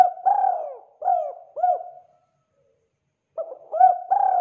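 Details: Spotted dove calling vigorously: a phrase of three low, hollow coos, the first long and drawn out, then a pause of over a second before another three-note cooing phrase begins; quiet background.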